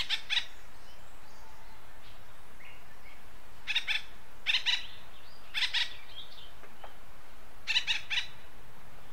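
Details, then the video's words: Acorn woodpecker from western North America giving a series of short, raspy, nasal double notes roughly every second or two, each burst strongly harmonic, over a soft, steady background. "Acorn Woodpecker Call"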